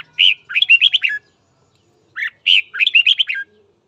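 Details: Red-whiskered bulbul singing in the morning, a training recording meant to stir up fighting: two short phrases of loud, rich whistled notes, each a quick run of five or six bright warbles around the mid-range, separated by a second of silence.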